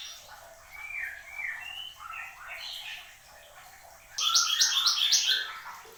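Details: Horsfield's babbler in energetic song: a run of soft whistled phrases rising and falling in pitch, then a sudden loud burst of rapid high chattering notes near the end.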